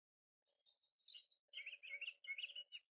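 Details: Kingfisher recorded in March 2023 with a Canon R7 camera: a run of high, sharp chirps, some thin and steady, others quick and rattling, delivered in short bursts separated by brief pauses, with a faint lower murmur beneath.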